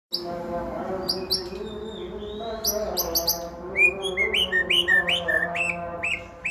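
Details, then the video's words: Male white-rumped shama singing a varied isian song: sharp high whistled notes and chips, then a run of rising upswept whistles repeated quickly, over a steady low humming background. "mewahnya isian murai smbf ladong"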